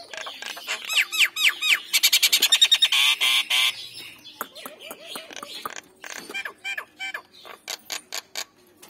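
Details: Nias hill myna, male and female, used as a lure to prompt birds to call: a run of loud descending whistled notes, then a rapid harsh buzzy pulsed burst, followed by scattered sharp clicks and short whistles in a quiet setting.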